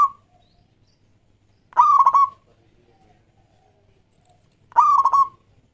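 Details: Local Zebra Dove singing to draw other doves into song: the tail of one phrase, then two full stuttering cooing phrases of rapid pulses on a steady tone, about three seconds apart, otherwise quiet.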